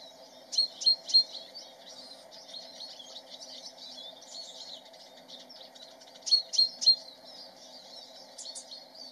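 Lesser redpoll giving two bursts of three hard, high chattering notes several seconds apart over softer twittering, with a steady low hum behind.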